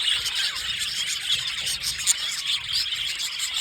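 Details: Pair of blue male budgies giving steady, busy chatter, with rapid squeaky and buzzy twitters overlapping throughout and occasional brighter peeps standing out.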